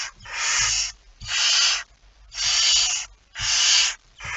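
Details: Barn owl carrying a mouse, 17 September 2019 at 01:49, repeats broad, breathy snoring hisses roughly once per second, four in a row.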